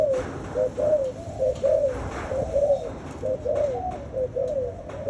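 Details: Spotted doves cooing in quick overlapping rounded notes, roughly one a second, with louder swells and soft background knocks.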